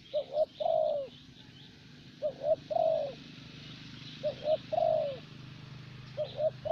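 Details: Spotted dove kept as a decoy in Vietnam, a type prized for steady calling and a voice that stays soft with age. Regular phrases of a double coo plus a long falling croon, light bird chirps behind.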